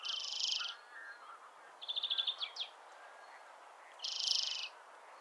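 A European greenfinch gives two long, harsh wheezing buzzes about four seconds apart, with a quick twittering trill and softer notes between them.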